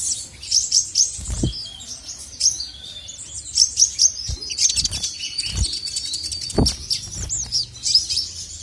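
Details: Male crested jay (sogok ontong) in training-song style to provoke rivals: high bright chirps and short whistled phrases, scattered and uneven, with a few dull low thumps between them.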